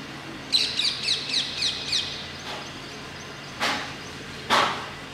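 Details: Indian ringneck parakeets at Masab Tank, Hyderabad, giving a series of about seven harsh, high screeching notes in quick succession, followed by two louder broadband screeches, over steady low traffic hum.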